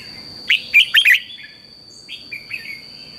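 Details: Red-whiskered bulbul, a caged bird kept for singing practice in the morning, gives a short burst of loud, warbled whistled notes followed by softer slurred phrases, over a steady high-pitched whine in the background.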